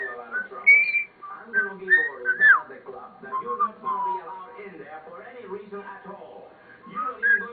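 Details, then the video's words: Pet common starling indoors mimicking and singing the Andy Griffith tune: a rambling run of whistled notes and warbling voice-like phrases, pitch rising and falling irregularly, with its owner coaxing it to talk afterward. "Starling talking,singing"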